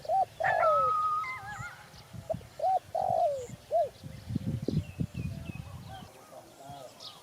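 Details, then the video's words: Spotted dove delivering clear, soft coo phrases: brief arched notes and a longer falling croo, fairly close, with other small birds whistling and chirping higher up and low background noise later. "Sound Spotted Dove"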